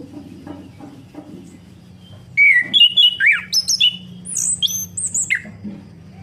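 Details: Orange-headed thrush song meant to spur a silent bird back into singing. Near-quiet faint murmur for two seconds, then a burst of clear whistled notes, each rising or falling sharply, some very high, tumbling quickly for three seconds before fading.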